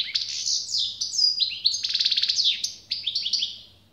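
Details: European goldfinch song, a rapid cascade of liquid twittering notes and quick trills that fades out at the end.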